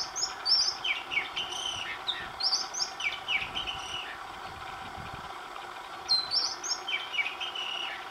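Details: Oriental magpie-robin song from recordings made over several days, each day bringing a new tune: repeated clear whistled phrases mixing high sweet notes with lower warbled slurs, delivered in bursts roughly every two to three seconds, faint distant hum behind.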